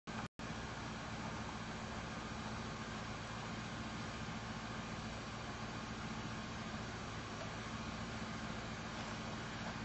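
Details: Continuous broad roar of vehicle traffic with a brief dropout at the start; no animal calls stand out.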